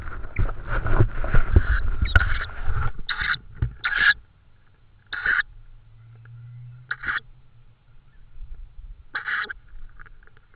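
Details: Tawny owl at an Estonian nest with prey, evening of 6 May 2013; scraping and shuffling noises open, then short harsh rasping calls repeat at irregular intervals of one to two seconds.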